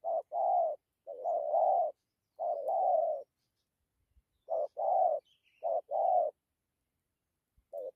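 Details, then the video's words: A spotted dove gives a good coo with 'dặm' phrases. Deep, husky paired coos come in bursts, each a clipped note followed by a longer throaty one. A faint high chirp from another bird is heard once. "Thổ tốt tiếng gù tốt dặm kèm gù"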